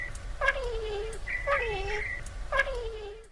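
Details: Two bowerbirds mimic a woman calling her cat, Bonnie: three drawn-out, voice-like calls falling in pitch, about one second apart, over a low background rumble. They learned it in under a year from her daily calls.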